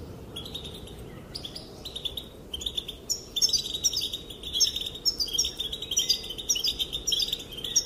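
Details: Female European goldfinch calling to males, which are said to dance in response; quiet start, then a rapid, continuous twitter of tinkling chirps and rolling trills growing busier toward the end.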